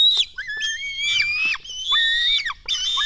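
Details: Begging cries of black stork nestlings at a nest in Latvia during feeding on 24 June 2016 at 04:53: thin, high, whining squeals rising and falling, nearly continuous with brief breaks.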